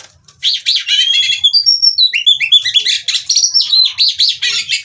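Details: Female Oriental magpie-robin from a captive breeding farm in Cirebon, Indonesia, in ngobra display, giving a seductive call used as therapy to make young males sing: dense, fast run of high whistles, sharp chirps and trills after a short silence.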